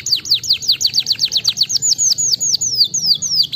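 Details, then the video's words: Canary song used to stimulate lazy canaries to sing: a rapid run of loud, high downward-sweeping whistled notes, about five per second, shifting midway to slightly slower, longer descending slurs, with faint low background hum. "Ótimo para estimular canários preguiçosos"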